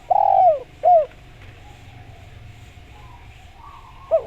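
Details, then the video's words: Spotted dove song used as a lure to make other doves answer: two low, mellow, slightly falling coos close together, then a long quiet gap over a faint steady hum before a single short coo at the end. "Suara Model Ini Paling Manjur Buat Pancingan Derkuku. Putar Nyaut"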